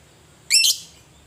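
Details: Single raspy, high chirp from a fighting lovebird. It slides slightly upward and ends in a short second note, used as a provoking sound for other lovebirds. Background otherwise quiet.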